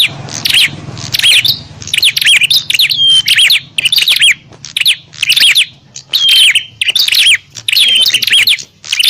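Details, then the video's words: Bar-winged prinias in a noisy fight, used to call in wild birds: regular bursts of shrill, rapid chirps with occasional whistled slides, around ten bursts with brief silences between. "Suara burung prenjak pikat - prenjak tarung ribut ampuh memanggil prenjak liar"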